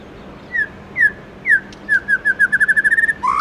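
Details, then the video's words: White-rumped shama singing its forest-voice style song in the morning: three separate falling whistles, then an accelerating series of about a dozen short, clear, repeated notes, ending in a rising, slurred phrase. "Chích chòe lửa Hót Giọng Rừng cực hay buổi sáng"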